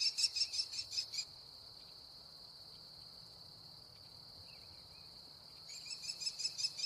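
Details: American kestrel calling while eating prey: two bursts of rapid, shrill, repeated notes, about six a second, open and close the stretch, with a steady high insect drone throughout and a quiet gap between.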